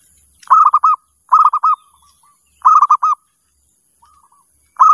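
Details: Zebra dove calling to lure other doves, delivering four loud trilled phrases about a second apart, each a quick string of rolling coo notes followed by soft trailing notes. A steady high whine runs throughout.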